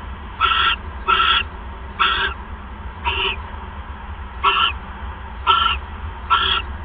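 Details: At a nest on 1 January 2015 around 6:33 PM, during a mouse delivery, an owl gives seven scratchy, noisy bursts, the first pair close together and the rest about a second apart, over a steady electrical-like hum.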